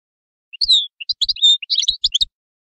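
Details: Short burst of European goldfinch song: a few high, bright chirps followed by a quick run of liquid, tinkling twitters, then silence.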